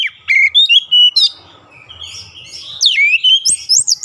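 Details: Oriental magpie-robin singing in daily training audio meant to bring on long rolling song: loud whistled notes sliding down, a fainter warbled stretch mid-clip, then rapid bright upslurred whistles and chips.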